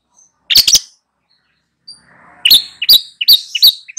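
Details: Adult long-tailed shrike in vigorous song as a tutor for two young birds; a tight cluster of three scratchy notes, a pause, then four sharp chattering phrases spaced about half a second apart.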